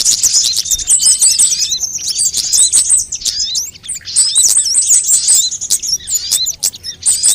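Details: ['Sunbird voices of various kinds, made as a lure to get birds singing: busy overlapping high chirps and short trills, with rapid ticking series of tiny notes repeated at intervals and a short lull near three seconds.']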